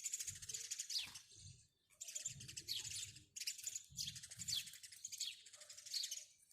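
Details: House sparrow chirping in dense, bright bursts of rapid chips, each lasting about a second, separated by short gaps, with faint low thumps underneath.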